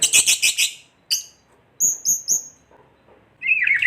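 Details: White-rumped shama kretekan phrase aimed at provoking other shamas: four harsh rasping bursts, a sharp high note, three thin high whistles, then a short warbled trill.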